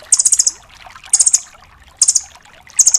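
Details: Velvet-fronted nuthatch (rambatan doraemon) tutor recording in tembakan style: brisk, piercing trills of five to six clipped notes, repeated about once a second, with low hiss underneath.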